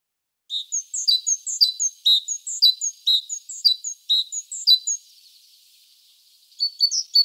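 A great tit sings a bright, ringing two-note phrase, high then lower, about eight times in quick succession. After a brief pause it starts again.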